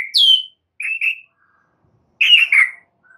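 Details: Vigorous white-rumped shama song meant to train caged birds: a sharp falling whistle, then a paired chirping phrase, a pause, and a richer double note.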